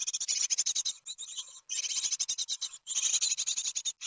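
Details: Nestling great tits at Ostwald on 23 June 2020, filmed by nest webcam as a parent brings a big larva that proves hard to swallow; continuous shrill, hissing chatter of rapid pulses, broken by brief pauses.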